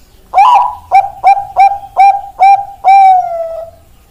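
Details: Zebra dove of Bangkok stock, kept as a cage bird, cooing: one rising opening note followed by five short evenly spaced coos and a long sustained final note.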